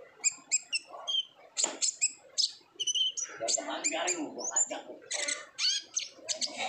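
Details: Olive-backed sunbird singing energetically in 'ngobra' style as a lure for untrained birds; quick high chips and whistles run together with a busier, rougher lower-pitched chatter mixed in.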